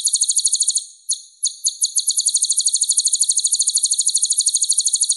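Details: Purple-throated sunbird, called kolibri ninja in East Java, delivering a fast, high, sparkling trill of evenly repeated pulses. A short pause of separate sharp notes interrupts it before the quick rhythm resumes, with no other sound.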